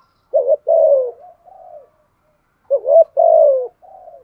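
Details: Spotted dove used to lure wild doves, cooing in 'gù thúc' fashion with a 'giọng thổ' voice. Two phrases, each a quick rising note, a long low falling coo and a soft trailing hum, spaced a couple of seconds apart.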